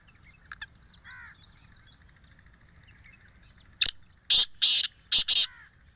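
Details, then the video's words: Black francolin calling in forest on a morning, 2 June 2024: after a quiet stretch with faint chirps, a series of loud, grating, broadband bursts comes in quick succession, four or five harsh notes within under two seconds. "کالے تیتر کی جنگل میں آواز"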